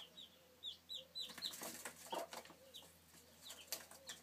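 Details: Peeping chicks, recorded in 2013: a few thin descending cheeps, then loud scuffling and flapping noises, with more scattered high peeps toward the end.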